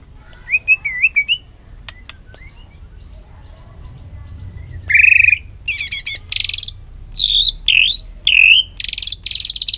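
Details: White-rumped shama in full, many-voiced song, meant to stir a bird to sing hard: faint wavering whistle early, quiet spell, then loud high whistles and ringing trills repeated in quick phrases.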